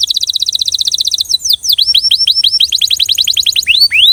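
A Belgian canary sings a fast, even trill of high notes, then a run of repeated downward-sweeping whistles, all bright and clear.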